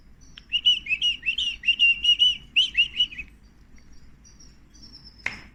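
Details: Canary babies being fed, begging loudly: a rapid, insistent run of about fourteen sharp, bright chirps over three seconds, then quieter thin peeps and a soft thump at the end.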